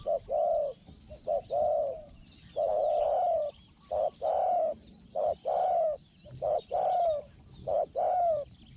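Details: Caged Spotted dove decoy calling during a wild-dove luring outing, voice described as small, 'hong-hong'. Loud, clean series of hollow low coos, short and long notes alternating in a steady rhythm, with little background noise.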